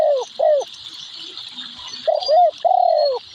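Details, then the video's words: Spotted dove gives soft, mellow coos in a short run of arched notes, a pause, then another phrase, over a steady high hiss of insects. "Suara Burung Tekukur / Derkuku"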